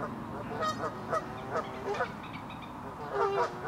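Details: Swans at Rose Pond, Tern Hill near Market Drayton, UK, on 1 April 2018 give nasal, trumpet-like honks, short and repeated about twice a second, some overlapping, over a low steady background rumble.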